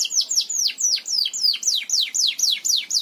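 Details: Belgian canary singing a tutor song for teaching canaries: a steady series of loud, high, downward-slurred whistled notes, about four per second, clean and close with no other sounds.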